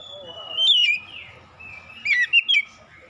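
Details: Oriental magpie-robin song used as a lure to draw a reply. Long, thin whistles and a lower warble lead to sharp, looping whistled notes. A final cluster of three bright, slurred notes rises and falls.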